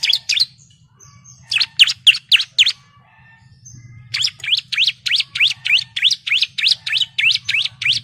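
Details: Female bar-winged prinia calling to the male, played as a lure to make birds sing: a brief chip burst, a quiet gap, then a long fast series of sharp, bright, evenly repeated notes above a faint low hum.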